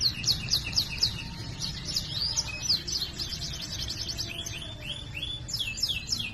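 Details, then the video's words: Canary pouring out rapid repeated chirps about four per second, sharp descending notes, then a tight rolling trill and a few slurred whistles, with faint low background noise. "Masteran suara burung kenari GACOR ngerol cuit cuit nembak ‼️ Kenari macet akan BUNYI"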